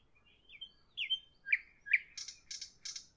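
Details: Nightingale singing in the evening: a few thin whistled slurs, then louder upward-swept notes, ending in a run of harsh, buzzy rattling bursts.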